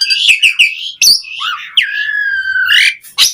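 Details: Asian pied starling singing to encourage other starlings to sing: mixed squeaky notes, then a long steady nasal whistle held for about a second before a sharp chirp.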